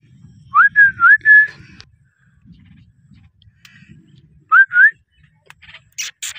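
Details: Green parrot giving short clear whistled notes, a quick run of three rising-then-level whistles followed after a pause by two more, with faint low rumbling and a brief high hiss near the end.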